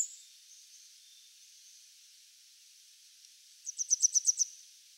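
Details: A Grey wagtail (Motacilla cinerea) in Japan, a bird of fields, grassland and waterside, gives a quick burst of about seven sharp, very high metallic notes in under a second, after a faint steady high hiss.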